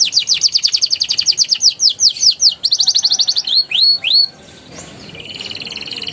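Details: Young canary in rolling, chattering song, used to prompt other canaries to sing: a long rapid trill, a run of rising swoops, a short buzzy roll, then soft background hiss.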